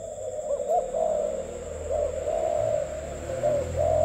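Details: Spotted dove of the cu khách type, singing in the gù tít cooing style: low, wavering coos rising and falling in short phrases, over a steady background hum.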